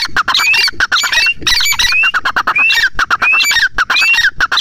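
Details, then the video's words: Grey francolin (teetar) giving loud, harsh, rapid squawking notes broken by short rising whistles, repeated about once a second in a dense, noisy series. "grey francolin voice"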